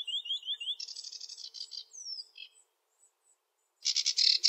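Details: Sedge warbler song, varied with sweeter phrases and mimicry: a rhythmic repeated whistled trill, then chattering buzzy notes and a falling whistle, a pause, and a loud harsh rattle.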